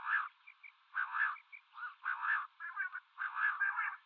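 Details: Common quail, male and female calling in a mix: clustered bursts of two or three quick liquid notes repeated about every second, with small higher chirps between, thin narrow-band tone with no background sounds.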